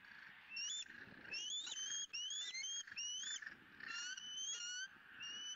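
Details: Rapid run of piercing, rising squeals from a bald eagle eaglet at a Southwest Florida nest, 20 April 2017, excited over its second fish of the day; notes come in quick bursts, several per second, with brief gaps and background hiss.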